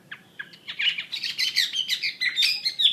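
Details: Wambi mandarin bird sings a brief, dense twittering burst of high chirps and short whistles, rising in loudness, over a faint steady background hiss.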